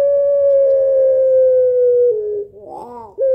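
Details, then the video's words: A Barbary dove, a "laughing" two-note cooer kept as a lure bird, gives a long, steady, mellow coo held for about two seconds, then a brief wavering, rolling note before the coo resumes. "Puter Pelung Ketawa Suara Panjang Berirama Syahdu Kuwok 2 Not"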